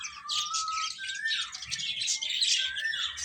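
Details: Chicks of domestic hens chirping while eating: a constant high twittering chorus with one clear whistled note stepping upward, then trailing off.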